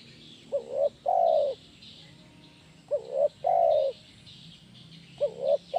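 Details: Spotted dove in lively 'kuk 1' song, used to train doves: two full phrases and the start of a third, each a quick rising note followed by a long, steady coo, with faint high twitters of other birds.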